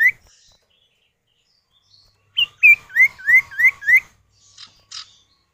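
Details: Common iora male and female answering each other, a lure recording to prompt other birds to sing: a brief faint note, then six loud whistled upslurred notes in quick succession, ending with two soft buzzy notes.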